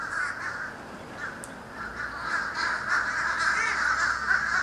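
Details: Florida, 31 December 2011: a vast flock of birds overhead, recorded by camcorder. Thick, grating calls pour out nonstop and swell in loudness toward the end.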